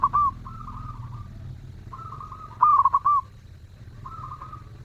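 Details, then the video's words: Melodious zebra dove cooing: one bright, stuttering, trilled phrase stands out among softer drawn-out coos from other doves, over a steady low hum. "Perkutut gacor suara merdu"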